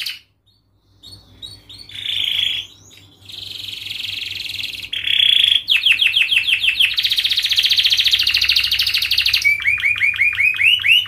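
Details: Canary 'gacor' song meant to train young canaries: after a silent start, buzzy bursts with gaps, then a run of swooping notes, a long rattling high trill, and rising whistled sweeps at the end.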